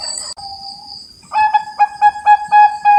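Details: Captive zebra dove of the perkutut Bangkok type, Cilacap, Central Java: a short steady coo, then about seven clear pulsed notes roughly every quarter second, over a faint high whine.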